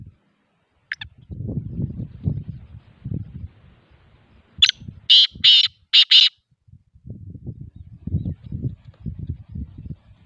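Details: Black pheasant giving a faint early note, then a sharp note and four rasping, loud bursts in rapid series, with low rumbling noise before and after.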